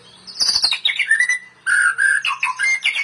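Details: White-rumped shama singing, from a compilation made for training: a loud descending whistled phrase, then after a pause several short steady whistles and chirps in varied pitch.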